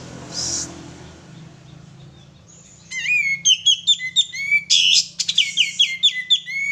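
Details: Sooty-headed bulbul male used as a lure, singing a lively phrase of rising whistles and rapid bright chirps, a harsh rasp mid-phrase, then more quick repeated chirps; an earlier short hissing burst in near silence.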